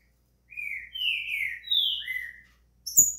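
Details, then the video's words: Green-winged saltator song meant to warm up a bird: a phrase of four loud whistled notes, drawn-out and slurred, stepping up then down, then a sharp high note together with a soft knock. "quer esquentar o seu trinca-ferro"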